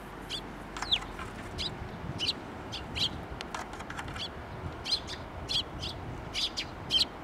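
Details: At a Tenmangu shrine on 19 April 2024, sparrows arriving for food call with sharp high chirps repeated about every half to one second, steady and fairly clear.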